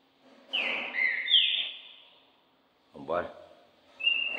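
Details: Caged competition Green-winged saltator, a Brazilian champion bird kept for stamina and speed singing, being readied for the contest season. One loud whistled phrase of clear sliding notes, then a brief low sound and the start of a second phrase.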